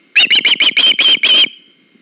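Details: Osprey at its nest on August 21, 2019, while the male brings the female a fish: one loud burst of seven sharp, shrill whistled cheeps in just over a second, then quiet.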